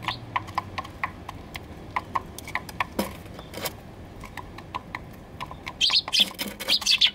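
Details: Eurasian tree sparrow at a balcony nest box, 28 November 2020, giving short, dry chirps in a quick, uneven series, growing louder and denser toward the end, with a couple of soft knocks.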